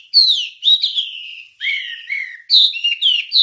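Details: Wambie song from a songbird training recording: full, sweet whistled phrases, each sliding downward, delivered in bursts roughly every second with brief gaps.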